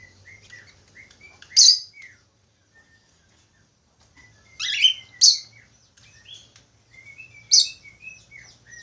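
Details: Budgerigar warbling energetically: a steady stream of soft twittering chirps broken by three or four abrupt scratchy squawks, with a brief near-silent gap midway and faint low background hum.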